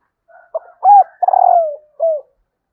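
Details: Female spotted dove giving her call to stimulate males. A clean, close phrase: quiet short notes, a loud rounded coo, a rattling trill that falls away, then a last soft coo.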